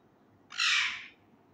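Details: Harsh, rasping single squawk lasting about half a second from a young male Indian ringneck parakeet kept as a pet that is learning words, over a low steady background hum.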